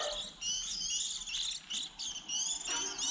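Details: Young white-eyes early in the season, around when fledglings leave the nest in April, as a trapping lure: dense overlapping high thin twittering chirps, several birds calling together almost continuously with short pauses.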